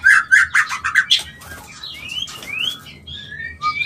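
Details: White-rumped shama mating call used to stimulate mating: a burst of rapid repeated notes near the start, then smooth whistled slurs rising and falling, with quieter pauses between phrases.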